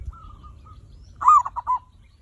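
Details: Zebra dove singing as a lure to encourage other birds to call: a faint wavering whistle, then a loud stuttered phrase of three soft, rolling coos, over low rumble.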